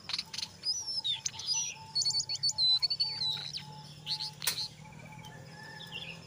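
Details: Brown jongkangan in full song, chattering ngeriwik mixed with ngeplong phrases, used to lure other jongkangan into singing. Rapid high whistles, sliding notes and buzzy chatter in quick irregular bursts, over a steady low hum and faint mid-pitched tone.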